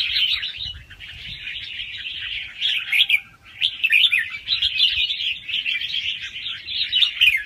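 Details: Red-whiskered bulbul youngsters from the wild singing quick rounds with doubled notes, meant to rouse other birds: steady high warbling chatter with a short dip near the three-second mark, then resuming just as busily.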